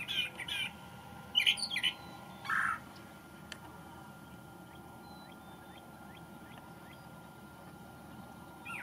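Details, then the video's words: Migrant male brown thrasher back for May, giving a few sharp, scratchy song phrases in the first seconds, then a quiet stretch with only faint high ticks and a steady background hum. "Thrasher Sings the May"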